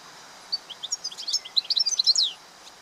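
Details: Wild European goldfinch delivering an accelerating string of bright, tinkling high notes and short slurs that builds into a dense twittering flourish, set against soft steady outdoor ambience.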